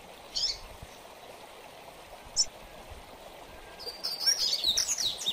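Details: Mateiro song style of a double-collared seedeater, used for training: two isolated high chips, then a rapid, rising flurry of bright twittering notes toward the end, with a hissing background throughout.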